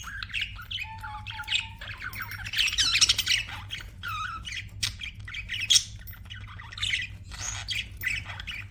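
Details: Budgerigars kept as pets in continuous warbling chatter, mixing buzzy squawks, short whistled notes and a brief level tone, with a constant low hum behind.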